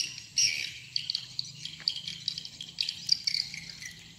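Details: Swiftlet calling sound used to lure swiftlets into a farming house: a dense chatter of high, rapid, buzzy chirps and twitters, steady throughout, with a few louder sharp clicks and little background noise.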